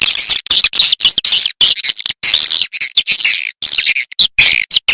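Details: Edible-nest swiftlet calls in a sound track designed for swiftlet farming to lure birds into bird houses: loud, dense, buzzy twittering chirps in rapid overlapping bursts, broken by short silent gaps.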